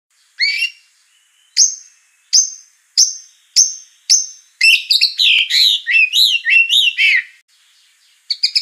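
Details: Oriental magpie-robin song in a 2021 training recording: short rising whistled notes repeated about once a second, then a rapid run of bright, warbling, looping phrases and a final burst of high notes.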